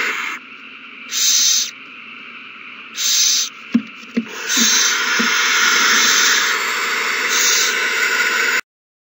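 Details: Owls at a nest, March 21, 2020, launch into a new frenzy after one finds a mouse and gives it to another. Two short rasping screeches and a few knocks, then a long sustained hiss before sudden silence.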